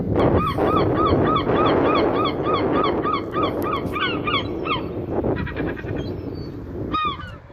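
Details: Seagull sounds with the ocean: one bird repeats a clear, arched yelping cry about three times a second. Other gull cries overlap near the end, and constant wave noise rolls underneath.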